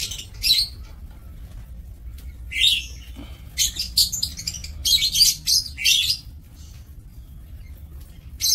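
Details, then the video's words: Several lovebirds in a breeding aviary, 2 October 2024, give sharp, piercing chirps in scattered clusters, louder around the middle, separated by quieter stretches with faint background hum. "Aviary Lovebird"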